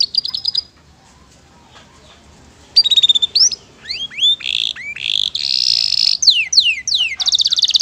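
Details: Canary singing a long 'isian mewah' song: a few quick chirps, then a silent pause, followed by slurred whistles, upward flicks, a dense buzzy roll, and descending sweeps.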